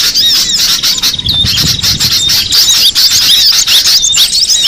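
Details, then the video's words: Wild cinereous tit heard as a continuous run of thin, sharp, high-pitched chirps, swept up and down and tightly packed, over constant outdoor hiss. "suara burung gelatik batu di alam bebas"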